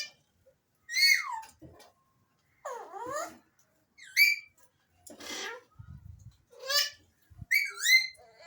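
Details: Varied whistles from Alexandrine parakeets: a rapid series of short, harmonic calls that alternately rise, fall and form V shapes, with brief low thumps between notes.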